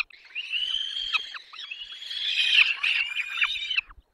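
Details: Peregrine falcon nestlings in the Barycz Valley, Poland, on 6 May 2021, calling while being fed: a steady chorus of high, quavering whines with short downward slurs, swelling louder near the middle, otherwise clean background.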